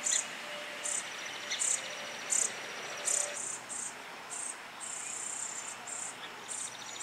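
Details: A Brown-headed Cowbird chick being raised by Song Sparrow foster parents gives thin, very high, hissy begging notes, repeated in quick bursts more than once a second, over a faint background hum.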